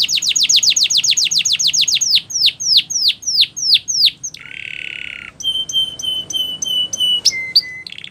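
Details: Singing canary used for training: quick descending chips slowing into louder swooping downslurs, followed by a lower buzzy trill and a run of clear sustained whistled tones.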